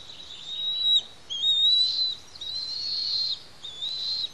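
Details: Bald eagle chicks, two eaglets on the Pelican Harbor nest on Santa Cruz Island, calling at a feeding; long, thin piping whistles held steady and high, in four drawn-out phrases separated by brief pauses.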